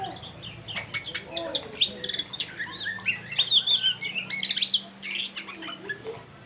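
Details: Oriental magpie-robin (kacer) singing by a river in the rain. Rapid, varied whistled and chattering notes come in quick sharp rising and falling strokes, loudest in the middle, over a low steady hum.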